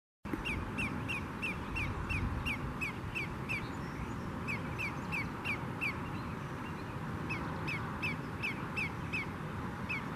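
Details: Greater Yellowlegs alarm calls: ringing, down-slurred whistled tew notes in rapid runs, about three a second, over a steady low rumble of wind or water.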